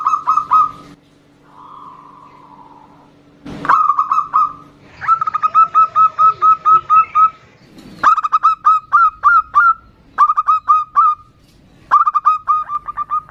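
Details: Zebra doves answering each other, a female calling to a loud-voiced local male: bursts of rapid, rolling staccato coos, six to ten notes each, broken by a smooth, drawn-out falling note, over a steady low electrical hum.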